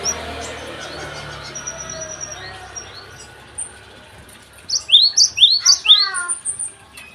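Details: Java sparrow morning song emerging after a murmur of background noise: a quick burst of five rising high chips followed by softer trailing notes.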